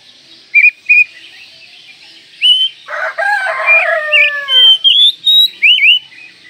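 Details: Kacer, the Oriental magpie-robin, singing: two short sharp notes, then a rich run of descending harmonic slurs that turns into loud, looping high whistles.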